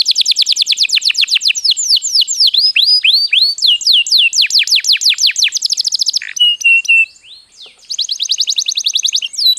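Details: Canary singing to lure other birds into song: long fast trills and swooping whistles, a held whistled note, a brief softer gap, then rapid trilling resumes.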